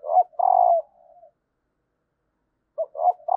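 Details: Female spotted dove calling to start males cooing: a short note and long steady coo trailing into soft low notes, then after a pause another phrase beginning with quick rising coos.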